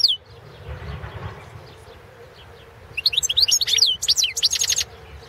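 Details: Caged Balkan goldfinch song recorded for a world goldfinch song competition in 2017; after near silence comes a lively two-second run of high twittering notes ending in a dry, buzzy trill.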